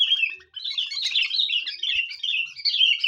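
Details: Vigorous Sooty-headed bulbul lure song: an unbroken, busy stream of warbling, chattering notes that rises and dips, with only a brief pause near the start.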